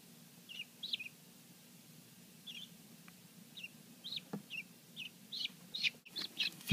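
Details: Helmeted guineafowl keets hatched the day before, delivered from a neighbour who hatches them, kept domestically: scattered high, short peeps, some falling in pitch, sparse at first then more frequent, with handling knocks and a loud thump near the end.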